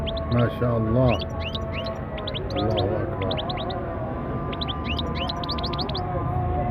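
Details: European goldfinch song of quick rising tinkling notes in bursts, with a person speaking over the first seconds and a constant low hum underneath.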